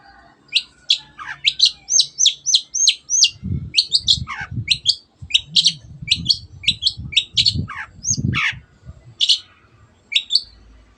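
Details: Shrike (cendet) delivering a varied song of quick, high, clipped whistles and chips in bursts, some notes sliding downward, with low knocking and rustling beneath; used to make quiet birds sing.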